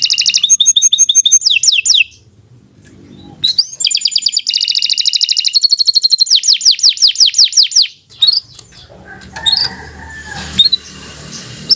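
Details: Canary in long, vigorous song, used to coax other canaries: high trills and fast rattling runs of repeated notes, a pause, then a noisy stretch with only scattered chirps.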